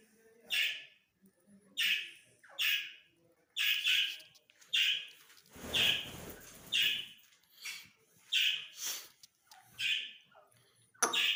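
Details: Grey francolin (Dakni teetar) in a breeding session, giving loud harsh rasping notes repeated about once a second, ten or so in a row, with a brief rushing noise in the middle.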